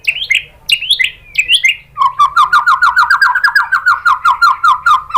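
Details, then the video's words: Lure song of a white-rumped shama for drawing out another bird's singing: three looping whistled flourishes, then a long even rattle of rapid repeated notes, about five each second. "bikin MURAI BATU jadi NYAUT GACOR BONGKAR MATERI TEMBAKAN ¦ PANCINGAN MURAI ¦ SHAMA BIRD"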